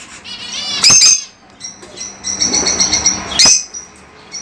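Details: Two loud shrill lovebird squawks with a softer run of high chattering chirps between them, then quiet with faint background noise.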